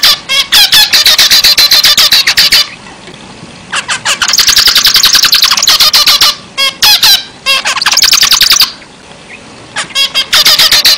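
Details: Zebra finch in lively song: fast strings of harsh, buzzy notes stacked with overtones, uttered in three-second bursts separated by short pauses.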